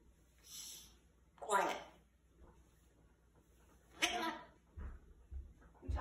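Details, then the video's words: A 21-year-old male African grey parrot at night gives two breathy, hissing shushes a few seconds apart, telling a noisy owner to be quiet and go to bed; a faint hiss comes before them and soft low knocks sound in a quiet room. "Bossy Parrot Demands Complete Silence at Night"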